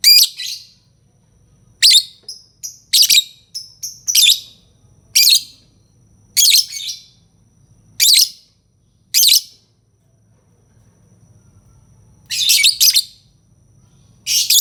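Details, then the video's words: A long series of harsh, high-pitched lovebird chirps and squawks, roughly one per second, broken by a pause before a final few rasping calls. "Suara burung lovebird"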